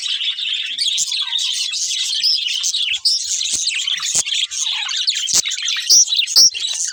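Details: Budgerigars chatter and warble steadily at high pitch, a few sharp clicks cutting through and two thin whistled squeaks near the end.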